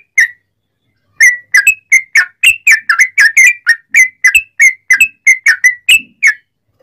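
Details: Sooty-headed bulbul in long rapid 'ropel panjang' song, used as a lure to make other bulbuls answer; a short note, a pause, then a quick run of about twenty bubbly whistled notes that rise and fall.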